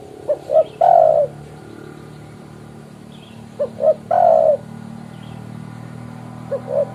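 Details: Spotted dove repeatedly calling to a rival, a call used as a trapping lure: phrases of two short coos and a long drawn coo, given twice about three seconds apart, then two more short coos, with low background hum.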